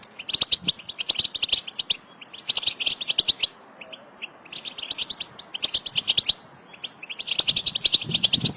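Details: Several goldfinches chatter in 'betbeta' notes for stimulating a pet male to sing. Dense bursts of high twittering chirps alternate with brief gaps, four clusters in all, with scattered clicks between.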